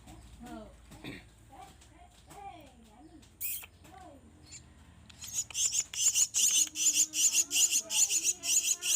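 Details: Hand-reared Javan myna chicks during feeding: soft talking and handling noises at first, then insistent harsh rasping begging calls start up, repeated rhythmically about two or three per second.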